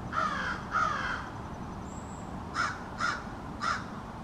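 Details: A small family of American crows in a backyard keeps up an extended conversation: five harsh caws, two close together at the start, then three evenly spaced after a pause, with a faint thin whistle in between.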